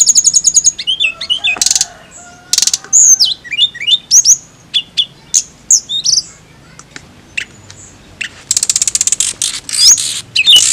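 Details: High, sharp chirps and brief whistles from a singing flycatcher (tledekan), spaced by short pauses. A fast stuttering burst of clicks and notes comes near the end, over quiet low background noise.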